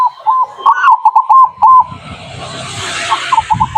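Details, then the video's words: Local zebra dove song used as a lure to attract wild birds: a rapid series of soft, bubbling coos near one pitch, several short notes strung together, then fading into broadband hiss with a few more coos at the end. "Pancingan burung perkutut lokal Anti GAGAL"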